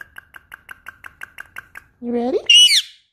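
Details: Pet Indian ringneck parakeet singing along with its owner indoors: a rapid series of short even clicks, then a rising, then a higher sweeping whistled squawk.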